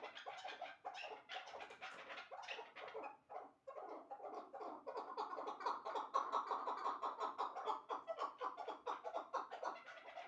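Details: Two caged chukar partridges, a two-year-old and a one-year-old hybrid, giving a long series of rapid, repeated clucking chuck notes that build from scattered notes into a steady, fast chattering run.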